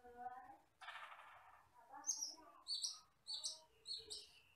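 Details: Asian glossy starling, a wild forest bird, used as a tutor recording for other birds: a harsh broadband rasp, then a series of short sharp high chirps repeated about every half second over low chattering notes.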